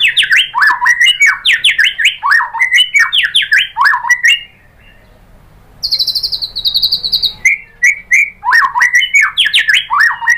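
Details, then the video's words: White-rumped shama (murai batu) in excited, nonstop song prompted by a lure, bursting with rapid repeated harsh notes. A thin high whistled trill interrupts briefly, then the fast chattering bursts return. "pancingan MURAI BATU agar bongkar materi TEMBAKAN"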